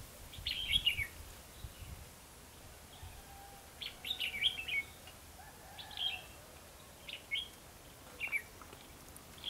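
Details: Red-whiskered bulbul at a trapping site in Hòa Mạc, Hà Nam. Clear, cheerful phrases of three to five slurred, dropping whistles repeat about every one to two seconds against a fairly quiet background.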